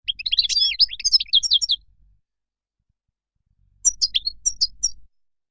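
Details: Moroccan goldfinch song: a dense burst of fast, tinkling, buzzy twitters for two seconds, a pause, then a shorter, sparser phrase of sharp high chirps.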